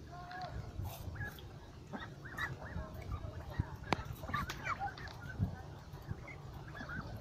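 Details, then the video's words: A duck flock beside a lake utters clusters of quick, nasal, curving calls, several overlapping at once, with a few sharp clicks and a heavy low rumble underneath. "Con Vịt"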